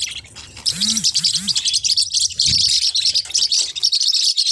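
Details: Forpus parrotlets keep up dense, shrill chirping, while a few brief low arched sounds are heard near the start.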